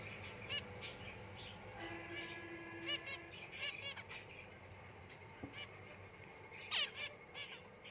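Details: White zebra finches, a pair with young just out of the nest, give short, nasal, honking calls, several birds calling over a steady background hiss.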